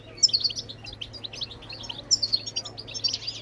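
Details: European goldfinch singing bebtebat phrases to stimulate other birds, bright twittering runs with repeated sharp, ringing notes over a constant low electrical hum.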